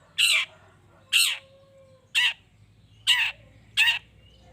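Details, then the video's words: Long-tailed shrike, used to rouse other shrikes into calling back. Five loud, rasping, scolding calls come at slightly uneven intervals of about a second, with a faint whistle between. "Cendet Gacor Pagi Siang Sore...Merangsang Emosi Cendet Manapun Agar Cepat Nyaut Emosi Dan Ikut Bunyi"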